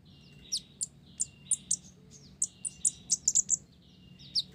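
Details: Konin blorok, an olive-backed sunbird, sings busily with Java sparrow-style fill: a rapid string of high, sharp chips and tinkling notes, about four per second, bunched into a dense burst near the end.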